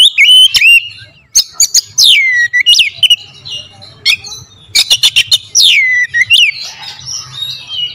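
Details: Oriental magpie-robin lure song, loud and varied: sharp high clicks and stabbing notes mixed with clear whistles sliding downward, bursts separated by short pauses, with a faint low background hum.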